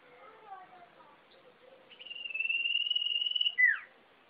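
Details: Sirpu bird delivering a long, rapidly pulsed whistled trill on one steady high pitch for about a second and a half, then ending with a sharp down-slurred note, after quieter murmured sounds.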